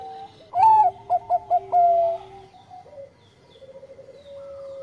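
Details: Actively singing Bangkok-type zebra dove: a loud rising coo, four fast clipped notes and a drawn-out final coo, followed by softer, steady humming tones from nearby doves.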